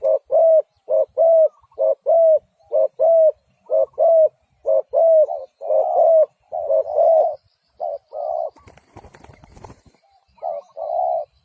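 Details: Spotted dove delivering a long steady run of mellow coos in pairs, rhythm broken near the end by a brief burst of rustling or handling noise before the cooing resumes.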